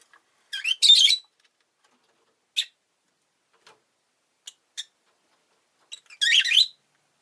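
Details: Rosy-faced lovebird making gritty, buzzy chirps, an opening cluster, a few isolated sharp clicks and chips, then a closing raspy squeal.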